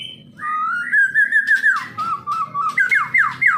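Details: Caged Medan white-rumped shama giving clear wavering whistles that glide up and down, ending in three or four repeated downward-sweeping whistled notes.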